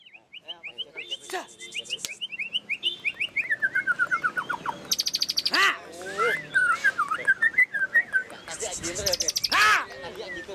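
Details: White-rumped shama at the Plaza Cup 2015 bird-singing contest in Semarang, Indonesia: a long run of rapid, evenly repeated whistled notes sliding gradually lower, then varied looping whistles and sharp bursts.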